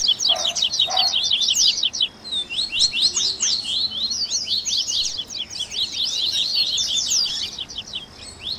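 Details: High, quick-fire Double-collared seedeater song used to encourage a caged bird to sing: dense chevron-shaped notes in steady runs, a brief dip near two seconds, and a couple of faint lower chirps early on.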